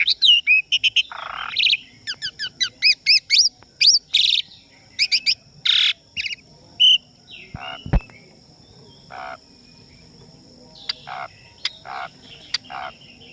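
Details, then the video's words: Asian pied starling in full song, from a training recording for captive birds that includes pauses and flowing river sounds. Rapid chains of varied whistles and harsh rasping notes in bursts, thinning into spaced scratchy calls over a steady high hiss. "SUARA BURUNG JALAK SUREN GACOR FULL ISIAN BAGUS UNTUK MASTERAN DAN PANCINGAN JALAK PASTI CEPAT GACOR"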